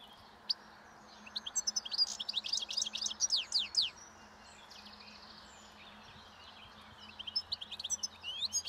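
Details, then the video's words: European goldfinch singing in the wild in spring while feeding on last year's thistle seeds by a roadside; fast tinkling twitters and buzzy trills in bursts, with a brief pause mid-clip before chirps resume. "European Goldfinch Song and Feeding in Wild / Doğada Saka Kuşu Beslenmesi ve Ötüşü"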